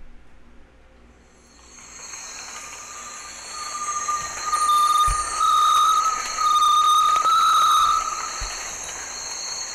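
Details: Great Tinamou (Tinamus major) song in very humid tropical Chocó forest at San Cipriano reserve, Valle del Cauca, Colombia, about 200 m elevation: several long, tremulous whistles at a steady mid pitch, each rising slightly, over a constant high buzzing insect chorus.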